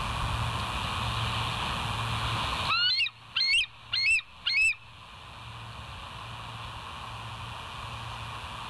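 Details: Bald eagle recorded on a live nature cam, 27 September 2023 at about 07:02; after several seconds of steady hiss, four strident, high piping notes come in a fast run, each sharply inflected, then the hiss returns.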